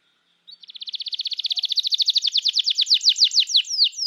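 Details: A canary sings a long 'gacor' phrase used as a singing lure for young and silent canaries. A rapid, even high trill swells in volume, slowing gradually into separate steep falling whistled notes.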